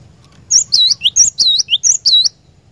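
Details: Cinereous tit, or glatik batu, lure song for a caged bird: about five rapid high two-note phrases, each a sharp upper note dropping into a U-shaped whistle, delivered in under two seconds.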